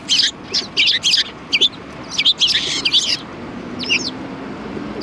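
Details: Several sparrows at a Tenmangu shrine, recorded on 4 March 2020: short, bright chirps in quick clusters, some doubled, with pauses between bursts and a soft low hum of background noise.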